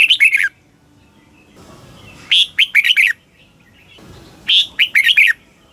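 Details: Caged red-whiskered bulbul in Thailand giving southern master-style song meant to stimulate other birds and train chicks; three quick, liquid phrases of clustered chirpy whistles, spaced about two seconds apart, over faint background hiss.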